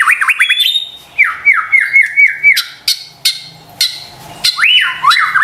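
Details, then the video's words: White-rumped shama lure song meant to provoke stressed, quiet birds into answering: loud repeated swooping whistled notes rising and falling, interrupted by sharp clicking bursts, then more looping whistles at the end. "PANCINGAN murai batu STRES dan MALAS BUNYI seketika LANGSUNG nyaut dan GACOR dengar suara INI"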